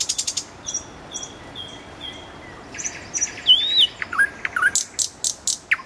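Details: Common nightingale singing near a road: a quick run of sharp notes, soft drawn-out whistles, then a bright slurred whistle, rapid dipping notes and spaced, hard repeated chips.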